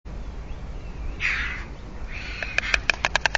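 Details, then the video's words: White stork in Alcalá de Henares clattering its bill to strengthen the pair bond: a quick run of dry, wooden clicks, about seven a second, after a soft breathy rush, over a low background rumble. "Crotoreando que es gerundio - Cigüeñas"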